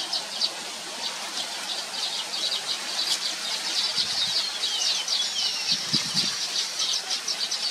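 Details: Baya weaver birds, known locally as Thookkanam Kuruvi, recorded with a Nikon P1000 camera, giving a dense, high, wheezy chattering that runs on throughout, with a few soft low thumps near the end.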